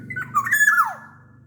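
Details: Large-bodied oriole from Sumbawa, kept to coax other orioles into singing, gives a single short phrase of warbled whistles that swoop down at the end over a faint low hum.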